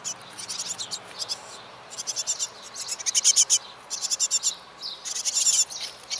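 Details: Ten young tits raised by both parents until fledging: noisy, buzzy high hissing in ragged bursts about once a second, rising to a louder, denser clamour toward the end.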